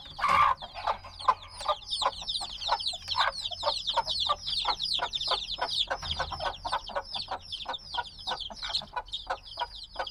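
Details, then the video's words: Black baby chicks, hatched a few days ago and still needing their mother's warmth: a dense, constant chorus of high, downward-slurred peeps from many birds, with one louder burst at the start. "Baby Chicks Sounds - Baby Chicken Chirping Noises"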